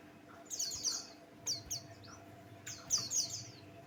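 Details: Buxtoni white-eye lure song: two bright bursts of high, rapid, falling chirps separated by a short quiet gap and a few softer notes, over faint steady hum.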